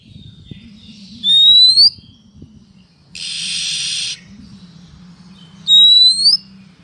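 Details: Oriental magpie-robin female calling to attract males: two loud, rising whistles about four seconds apart, separated by a one-second buzzy, rasping burst, with a low hum throughout.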